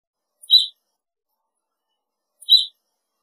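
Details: Evening grosbeak giving two short, sharp chirps about two seconds apart, each a brief bright note with a fainter high overtone, against an otherwise silent background.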